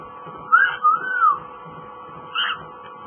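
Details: Pet cockatiel whistling, three smooth arched whistled notes in quick succession, a pause, then one more short whistle, with a steady indoor hum.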